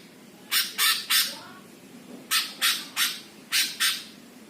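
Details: Greater green leafbird, recorded as a master song to rile other birds, uttering three-note groups of loud scratchy squawks, each note rough and evenly spaced, with brief silences between groups.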